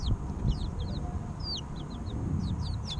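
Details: Chirps from three-week-old baby chickens, with a string of sharp descending peeps, roughly two or three each second and one stronger cheep in the middle, over a deep droning hum.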